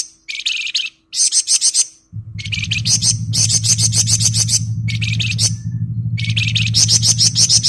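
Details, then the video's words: Flamboyan delivering ngebren song, a string of tight, buzzy, high-pitched trills in rapid clusters, nearly continuous with brief breaks; a low humming background starts partway through. "Burung Flamboyan Gacor Ngebren full"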